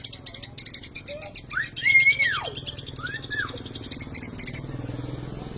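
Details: Long-tailed shrike giving lovebird-imitation song: rapid high-pitched chattering throughout, broken by two loud arched whistles that rise then fall, before the chatter resumes and fades.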